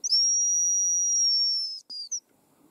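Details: Hazel grouse whistling: a long, piercing, very high note held steady for nearly two seconds, then two short high notes in quick succession, with near silence around them.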